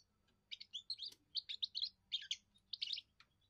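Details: First song of a young European goldfinch, sung to hold territory and win females: quick clusters of liquid, tinkling twitters in short phrases, over a faint low hum.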